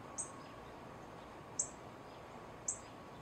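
A female northern cardinal gives three sharp, high, metallic chips spaced about a second apart over a steady hiss of background noise.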